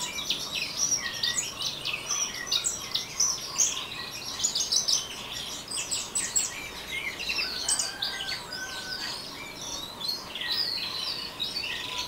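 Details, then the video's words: An orange-headed thrush pours out its chattering ngeriwik song, a long, breathless medley of squeaky chirps, buzzy scratches and quick whistled slurs, varying constantly without any real break. "Anis Merah Ngeriwik"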